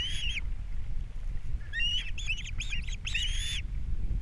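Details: Osprey at a Captiva nest on April 3, 2022 during a breakfast fish delivery and chick feeding: loud, slurred whistled chirps, one opening note then a quick string of rising-falling yelps ending in a longer call, low rumble beneath.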